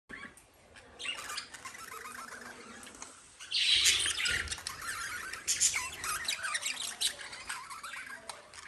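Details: Pet lovebirds chirping: dense, scratchy high chirps and squeaks that run almost nonstop. A louder, harsher burst of squawking comes in the middle, and sharp, brief notes keep overlapping throughout.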